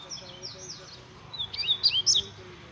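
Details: Double-collared seedeater kept as a pet, giving a short run of high, sharply slurred notes that rise and fall over a steady noisy background.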